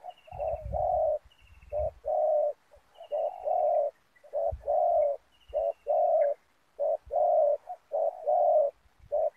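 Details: Decoy spotted dove calling to draw in wild doves at a ground snare-trapping site in Indonesia; repeated low, rough coos in short and longer blocks, about one per second, with faint high descending trills and occasional low thumps.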